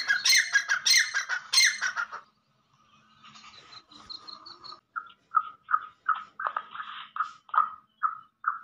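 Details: Black francolin call used to excite captive francolins: three loud, harsh, grating bursts, then a quick series of short, clipped notes about three per second.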